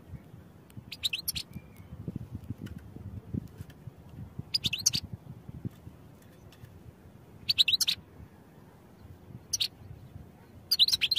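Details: European goldfinch song for training: repeated short bursts of sharp, high tinkling chirps with fast frequency sweeps, five phrases spread across the recording with gaps between, over steady low rumbling background noise.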